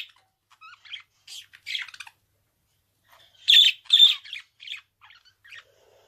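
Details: Budgerigar chirping softly and scratchily at first, then breaking into a pair of loud, harsh squawks around the middle, followed by quieter chattering notes.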